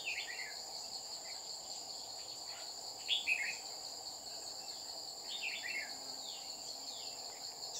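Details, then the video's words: During bulbul trapping in Đồng Nai, 30 July 2019, a Red-whiskered bulbul repeatedly flies down to threaten the caged decoy; scattered brief warbled, descending phrases spaced a few seconds apart over a constant high-pitched insect chorus. "Bẫy chào mào Má lỡ xuống dọa mồi liên tục"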